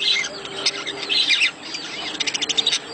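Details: Budgerigars chattering in a breeding-stimulation recording: scratchy high warbles early on, then a fast series of short clicking chirps toward the end.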